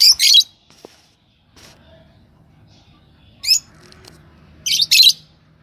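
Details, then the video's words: A pair of yellow Fischer's lovebirds gives loud, harsh, high chirps in short bursts a few seconds apart, with a quiet low background hum between. "Lovebird Singing & Chirping Sound – Yellow Fisher Pair"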